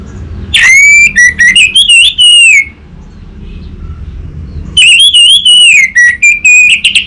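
Orange-headed thrush singing two loud bursts of rich, varied whistled phrases, sliding and warbling, separated by a few seconds of quiet.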